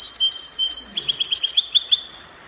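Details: Copia-style song of a European goldfinch from Morocco, Spanish copia type: a continuous rapid run of sharp, liquid, metallic twitters and short trills packed closely together, fading out toward the end, with a brief low rumble in the background.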